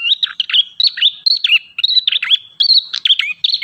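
Ashy tailorbird in a rapid, nonstop run of sharp chirps and quick trills, high and bright, changing note every fraction of a second; nothing else is heard.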